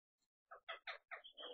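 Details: Rose-ringed parakeets in Tokyo, Japan, 21 May 2020: two wild birds visiting a flightless pet parakeet. Four or five harsh, raspy squawks follow in quick succession, rich in overtones, the last drawn out into a longer grating note.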